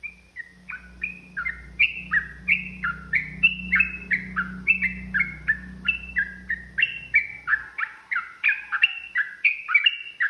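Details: Agitated yellow-vented bulbul delivering long ropel song as a fighting lure: bubbly falling whistled notes repeat nearly three per second throughout, over a low mechanical hum that stops about two-thirds through.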